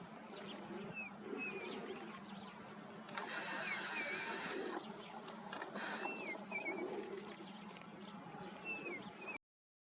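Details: Indian spotted creeper (Salpornis spilonota) singing at Tal Chappar Blackbuck Sanctuary, Rajasthan, India, in January 2022: thin, high, slurred, wavering whistles spaced a second or two apart, over a low hum and rushing noise.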